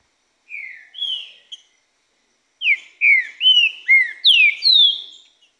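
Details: A Green-winged saltator, singing right through its moult, gives loud, clear whistled notes: a short two-note opening, a pause, then a rapid run of six rich, slurred phrases. No other sounds.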